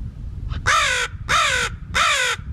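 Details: Rescued crow outdoors in early spring up north, listening to other crows and answering them at once: three loud, harsh, raspy caws, each about half a second long and evenly spaced, over faint low background rumble.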